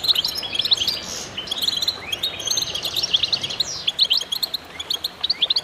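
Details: Chorus of goldfinches pouring out overlapping twittering song, with liquid trills, brief buzzy phrases and a falling slurred note, busy throughout.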